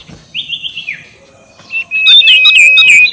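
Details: Sirtu ngekek call, used to provoke rivals: a soft buzzy trill, a pause, then loud rapid chirping over a sustained whistled tone.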